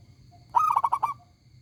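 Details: Zebra dove, local stock, singing with a big clear voice: one short phrase of five rapid, rolling coos at even spacing, over faint low noise.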